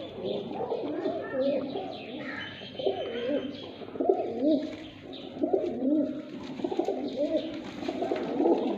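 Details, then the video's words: Fighter pigeons in a Sindhi village in Pakistan, many birds cooing in deep, wavering, bubbling phrases, each rising and falling, repeated and overlapping steadily, with occasional higher chirps from other birds behind. "kabootar fighter Pigeons in Sindhi village Pakistani"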